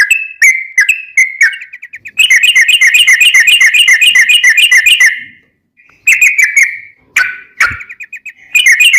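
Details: Sooty-headed bulbul singing its long 'ropel' style, used as a tutor for caged birds: a few separate whistles, then a long fast run of repeated bubbling notes, a pause, and more short whistled bursts.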